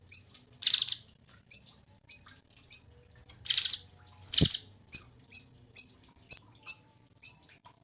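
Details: Cungkok singing for songbird tutoring: harsh buzzy rattles mixed with bright, high, short whistled notes that fall at the end, repeated in a rapid run, plus one low thump.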